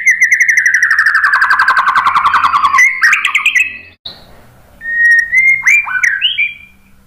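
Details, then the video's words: White-rumped shama singing: a long run of rapid, buzzy, harmonic-rich notes slides slowly downward for nearly three seconds, then clear rising whistles and short slurred phrases follow after a brief pause. "KICAUAN MURAI BATU"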